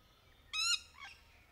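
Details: Rainbow lorikeet, a parrot, recorded among lories playing in trees during courtship: a short harmonic squawk of about a quarter second, followed by a fainter, lower squeal, against a quiet background.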